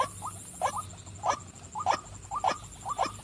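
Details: Female white-breasted waterhen calling: short, hoarse croaking notes in pairs, repeated about every 0.6 seconds in a steady series, over a faint continuous high whine and low hum.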